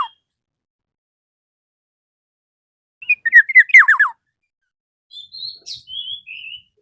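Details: Black-naped oriole calling to a rival: after silence, a loud burst of quick descending slurs, then a few quieter, level, whistled notes.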